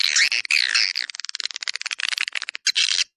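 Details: Swiftlets in the 'Dua Bidadari' lure call, used to attract swiftlets. Wavering buzzy twitters open, then a quick run of short clicking chirps follows.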